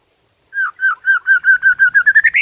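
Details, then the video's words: White-rumped shama's morning 'hitungan detik' song, used to provoke rival shamas: a clear whistled note repeated about a dozen times, the notes speeding up and rising in pitch toward the end. "HITUNGAN DETIK DI PAGI HARI BIKIN MURAI LAWAN AUTO NAIK EMOSI SEKETIKA"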